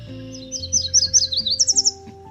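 A Yellow Warbler sings a quick run of bright, slurred sweet notes that speed up and end on a higher, emphatic phrase, over soft background music.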